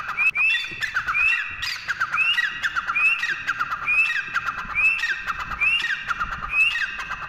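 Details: Teetar, a partridge, giving a steady run of loud, sharply upslurred whistled notes, about one every second, with faint rustling background noise underneath.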